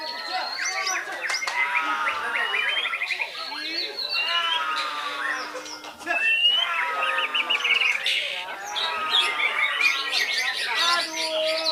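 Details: White-rumped shama from Belitung island singing in bursts of fast, rattling trills and bright whistles, each phrase several seconds long and separated by brief dips, with a low steady note running beneath parts.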